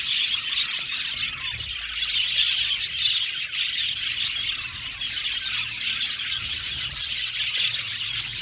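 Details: Budgerigars chirping together in an aviary colony, a dense, steady wash of high twittering and chattering chirps that never pauses, with brighter squeaky notes rising above the busy background.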